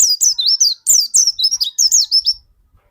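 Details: Pleci dakun white-eye pouring out an unbroken stream of high, slurred, whistled notes for about two and a half seconds, each note twisting up and down. This kind of song serves as a lure to prompt other white-eyes to sing.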